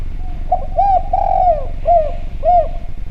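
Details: Javan spotted dove calling actively in a clear voice, used as a lure sound to prompt other doves to call: a run of soft, low, hollow coos, one drawn out and slurred, the others short rounded notes about half a second apart, over a steady low hum.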